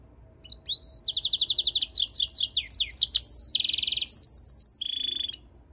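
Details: A goldfinch-canary hybrid sings a rising whistle, then a dense, high, rapidly pulsed warble with twittering notes and two steady buzzy trills near the end.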